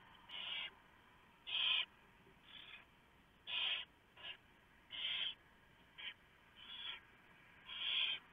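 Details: Barn owls at a nest box on a live nest camera, the male bringing a large mouse while the female shreds it for the owlets; broadband rasping hisses in bursts of about half a second, repeated irregularly over a steady background hum.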